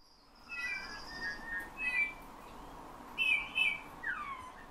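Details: Captive Eurasian bullfinch trained by its owner, copying his whistled tunes and taking phrases from nightingales and thrushes: a long level high whistle, then short pure notes and a bright warbled burst ending in a falling slur.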